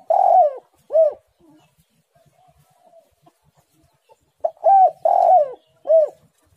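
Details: Spotted dove singing, a loud, hoarse cooing phrase: a long downslurred coo, a short arched note, then after a quiet pause of soft murmurs the phrase repeats with two stressed coos and a final arched note.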